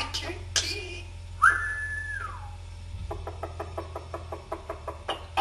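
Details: Talking common hill myna associated with Afrikaans speech gives one clear whistle that rises quickly, holds level, then slides downward, followed by a steady run of short, evenly spaced knocking clicks over a low indoor hum.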